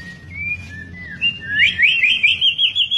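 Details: A white-rumped shama (murai batu, an albino or blorok mutation) sings a few clear sliding whistles, then a fast, rich run of warbled trills and twisting notes with loud vocals, over a faint low hum.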